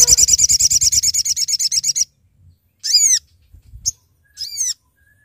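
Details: Sooty-headed bulbul calling companions for trapping: a two-second run of fast pulsed buzzy notes, followed by a few separate arched harmonic calls with a faint soft noise between them.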